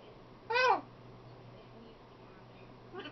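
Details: Talkative female macaw kept as a pet: one clear, bending, speech-like utterance near the start, then quiet, with another syllable beginning right at the end and a low steady hum underneath.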